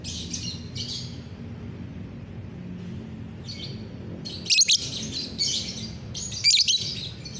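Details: Lovebird chattering on a bright morning, 30 November 2021; a few buzzy high chirps, a quieter pause, then a dense loud twittering burst near four and a half seconds and another near six and a half, with low hum throughout.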